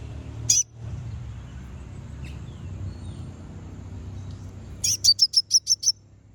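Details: Konin song used as a lure to provoke rival birds into singing: one sharp high chirp, a quiet pause, then a quick run of six high clipped chirps, over low steady background hum.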